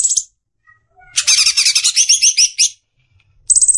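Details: Greater green leafbird singing in besetan style for caged-bird training: a dense, fast run of high twittering notes lasting about a second and a half, bracketed by short rattling bursts.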